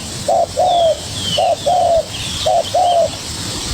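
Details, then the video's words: Young spotted dove calling vigorously in response to a decoy bird: three low cooing pairs, each a short note followed by a longer slightly falling note, about a second apart. Faint thin whistles from other birds sound higher up, over steady hiss. "Chim cu gáy #birds # bổi tơ đấu cực sung với mồi"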